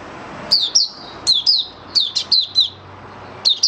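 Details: A caged oriental white-eye (Mata Puteh Raja) in open song on the fifth day after monthly deworming, 20 January 2022. Paired high, thin chirps, each sliding downward, repeat roughly every half second over a faint low hum.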